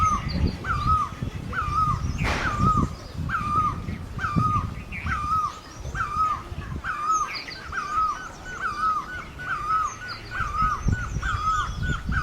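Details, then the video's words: An Asian great barbet repeats a hollow, down-curving note about once per second in a long even run, with a brief noisy burst early on and soft low rumble throughout. "Great Barbet, นกตั้งล้อ"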